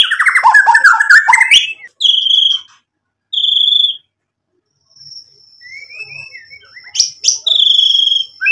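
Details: Murai batu (white-rumped shama) singing in full 'gacor' form: a dense, jumbled run of mixed chirps, then separate high whistled phrases broken by pauses, and a thin sustained whistle near the end.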